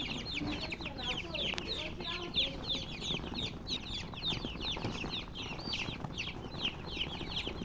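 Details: Many baby chickens keep up a steady chorus of thin, descending peeps that overlap without pause, several per second, over a low hum with a few soft knocks.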